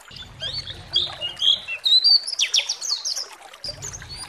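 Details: Pleci singing as a lure to stir other pleci: thin, high, rapid warbled phrases with sharp bright notes, over a low rumbling background hum at the start and end.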